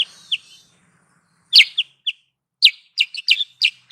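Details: Trapping lure call of the sooty-headed bulbul, with a few isolated chirps, a pause, then a loud burst of sharp notes becoming a quick jumbled chatter.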